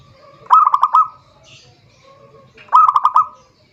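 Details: Zebra dove song used for calling a rival, two short pulsed trills about two seconds apart, each five quick notes at steady pitch, a faint wingbeat-like rustle between.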